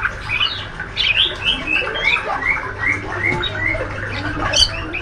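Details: Healthy young male white-rumped shama in speckled juvenile plumage doing ngriwik: rapid, regular chirped phrases of short rising and falling notes, almost continuous, over a faint low electrical hum.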